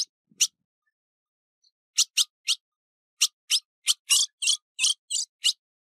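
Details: Female ultramarine grosbeak (azulão), recorded 15 June 2019, calling with short, sharp, high chipping notes, singly at first and then in quick uneven runs of about ten.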